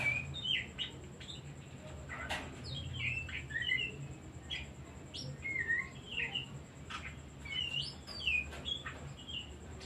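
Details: Oriental magpie-robin song played as a lure for stressed or silent birds: a lively run of varied whistles, sharp chips and slurred notes, delivered rapidly with brief pauses, over a background hum and a thin high tone.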